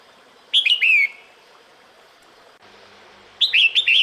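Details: Female red-whiskered bulbul calling the male during breeding season: a whistled phrase ending in a long falling slur, then after a pause a second quicker series of notes, with a brief low thump between.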